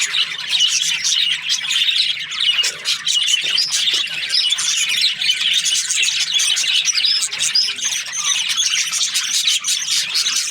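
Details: Happy budgie giving a steady flood of high chirps, quick twitters and warbled squeaks, continuous and overlapping throughout.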